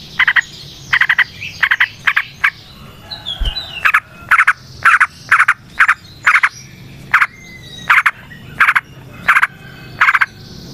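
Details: Yellow-vented bulbul singing naturally in the wild, used to lure and prompt captive bulbuls. Clipped rattling bursts come about twice a second with short gaps, over soft background calls.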